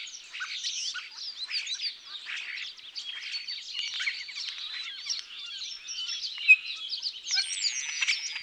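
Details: Common starling singing amid a thick, continuous mesh of high chattering, clicking and squeaky notes, with occasional short whistled slurs and buzzy fragments throughout.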